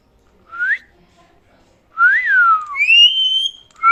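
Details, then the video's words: Parrot kept as a pet, known as a mithu, giving loud whistled notes: a short rising whistle, then a longer rising-and-falling slur, then a sustained high whistle with overtones, in a quiet room. "Mithu parrot talking very funny"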